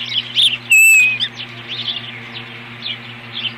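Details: Ospreys defending their nest from an intruder, 21 April 2015: a string of short upslurred whistled chirps, then one loud clear whistle sliding slightly down, over a steady low electrical hum.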